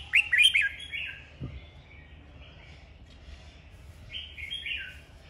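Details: Red-whiskered bulbul in a singing duel, a cage bird: an opening flurry of loud, bright chirping notes, a pause, then a softer slurred whistled phrase rising and falling.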